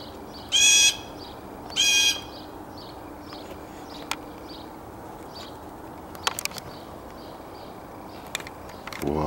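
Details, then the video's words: Blue jay recorded on 27 March 2015, giving two loud harsh calls with a strange alien-like quality, each about a third of a second long, spaced a little over a second apart, followed by faint clicks and background noise. "Bluejay's sounds"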